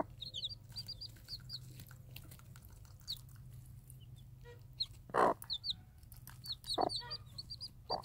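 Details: Free-range game hen calls her day-old Minorca-cross chicks while dropping food for them; a few low, short clucks stand out among the chicks' steady high, thin peeps and light rustling.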